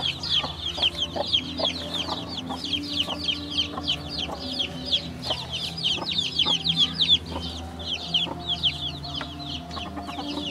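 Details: A group of baby chickens keeps up a dense chorus of shrill descending peeps, many per second, overlapping from several chicks, with occasional soft knocks and background hum.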